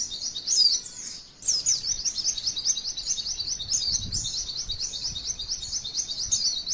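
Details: Female white-eye, a pleci song used to provoke other birds into singing, style described as long rolling shots: high, fast, continuous twittering of repeated sharp rising notes after a brief break, with faint low thumps.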